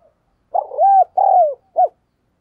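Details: Eager decoy spotted dove cooing to provoke rivals: a rough opening note running into a smooth arched coo, a second longer falling coo, then a short clipped final note.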